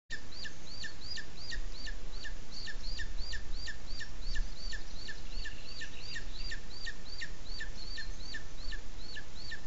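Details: A booted eagle (Hieraaetus pennatus) at a nest gives a fast, steady series of high, shrill, hooked notes, about three per second, over wind. The nest is in Sierra de Guadarrama National Park, Spain, and the chick is being presented to the male.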